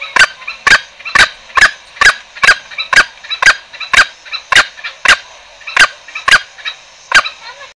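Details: Green junglefowl lure for trapping: a rapid run of about sixteen short, raspy, percussive calls, roughly two per second, with softer echoes between them.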